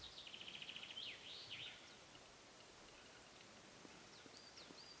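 Western capercaillie giving a quick run of dry clicks that speed up, ending in a soft pop and a brief scraping rattle; another bird whistles faintly later.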